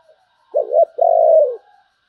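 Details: Spotted dove cooing in the 'sấm bầu' style, one deep two-part phrase: a brief wobbling note, then a sustained, gently descending coo lasting about half a second.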